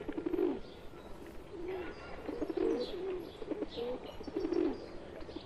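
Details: Several pigeons in India, one a pet among wild birds, trading soft gurgling coos in overlapping phrases, with light chirps from small birds behind.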